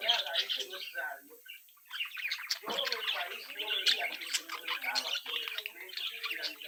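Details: Budgerigar chicks in a captive brood sing and twitter, busy interacting; continuous soft warbling with scratchy chips and short whistled notes, a brief lull about two seconds in before the chorus resumes.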